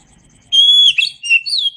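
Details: Oriental magpie-robin singing for a songbird training recording: after a short silence, a loud clear whistled note held steady, then quick sliding and warbled whistles running to the end.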